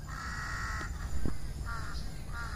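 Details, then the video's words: At dusk, crows atop trees by their nests call out: a long rasping caw, then two shorter hoarse caws, with a brief low thump between them. "សំបុកសត្វក្អែក ជាមួយសំលេង នៅពេលល្ងាច"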